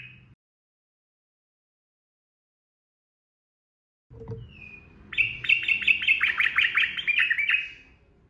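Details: Trucukan (yellow-vented bulbul) giving a 'ropel gacor' style song meant to prompt other birds to sing: a brief whistle, then a rapid bubbly, warbling phrase of about a dozen quick notes over two seconds, with soft background hum.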